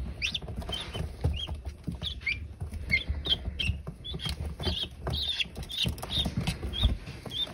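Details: Group of newly hatched guinea keets (hatched April 28, 2022) making scattered thin, high, slightly wavering peeps, a little sparser and softer, against constant low rumbling and rustling from movement.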